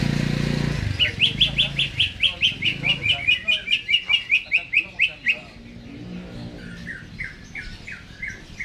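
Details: Greater green leafbird in a cage, singing before being hung up: a steady volley of quick, sharp whistled notes at an even pace for about four seconds, then softer chirps over low rumble.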